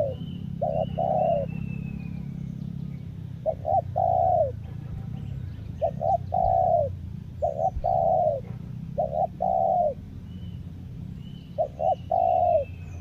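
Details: Spotted dove used as a lure bird in Lombok repeats its phrase about every two seconds, each two or three short coos ending in a longer one; thin high whistles from other birds and a low hum behind.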